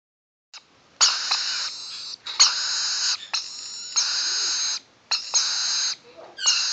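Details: Rainbow lorikeet chicks, almost seven weeks old, being scratched, give harsh, hissing, rasping screeches of about one second, broken by short pauses, with five long bursts and several shorter ones.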